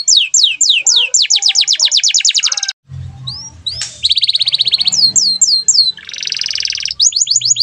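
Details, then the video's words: Canary in lively song used to train other songbirds: a rapid string of downward-sweeping notes, a short pause, then a buzzy trill, brief whistles and a harsh rattling phrase. "KENARI GACOR DOR"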